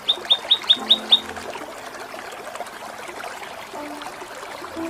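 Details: Kinoi singing a training song in the ngepik kapas tembak and Cililin style: six sharp, high chirped notes in quick succession, then fainter scattered chips over a trickling, music-like background.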